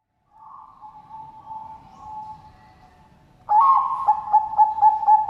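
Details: Captive Bangkok zebra dove at a Sidoarjo, East Java bird farm; a soft wavering coo hums for three seconds, then a strong accented note leads into five rhythmic bouncing coos.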